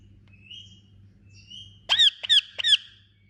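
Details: Baby Indian ringneck parakeet: two faint drawn-out chirps, then three loud, harsh, rasping calls in quick succession about a third of a second apart, with a low background hum.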